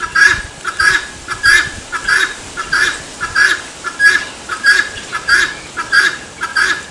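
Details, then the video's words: Steady run of the helmeted guineafowl's "tô fraco" call, each rough, squawking burst evenly spaced, about ten in quick succession, clear and dominant over a soft background. "GALINHA DA ANGOLA Cantando TO FRACO! Canto do CAPOTE"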